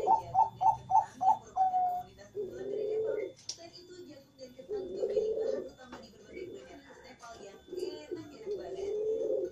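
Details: Morning song of a Bangkok zebra dove calling without pause: a rapid string of five sharp notes, then repeated low purring coos in bursts, with a light knock and room noise behind.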